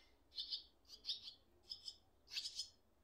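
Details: Nestling swallows calling with parents nearby: four rapid scratchy high-pitched bursts, each split into two or three quick notes, spaced about half a second apart.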